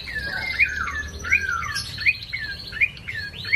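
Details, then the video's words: An ashy tailorbird sings a quick string of sharp, downslurred chirps, each phrase repeating about every three-quarters of a second over a faint low hum. "BURUNG PRENJAK COKI GACOR/CINENEN MERAH"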